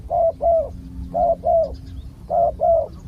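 Spotted dove giving soft, mellow coos in pairs, each pair about a second apart and fairly even in pitch, over faint low background rumble.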